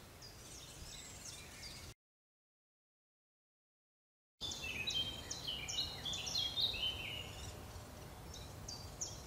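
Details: Great spotted woodpecker chicks on Cannock Chase begging while adults feed them: a high, thin chittering of rapid squeaky notes, about two a second, broken by a short silence over steady background hiss.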